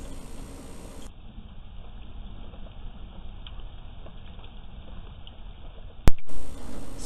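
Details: A muffled low rumble of handling or engine noise, with a sharp click and thump near the end and no animal sounds.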